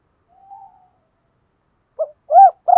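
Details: Spotted dove decoy call used to lure wild doves: a soft, hollow coo, then a quick run of low, rounded cooing notes.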